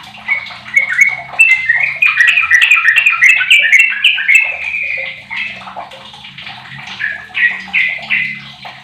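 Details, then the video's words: Sooty-headed bulbul, 15 years old, used as a lure to start other bulbuls singing, bursts into a rapid tumbling run of whistled notes, then slower spaced phrases, over a faint low hum. "Trucuk Apapun 100 persen gacor dengan pancingan trucuk umur 15th ni"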